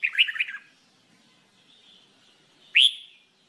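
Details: A red-whiskered bulbul in song training opens with a quick bubbling warble, falls quiet for about two seconds, then gives one loud, clear rising whistle.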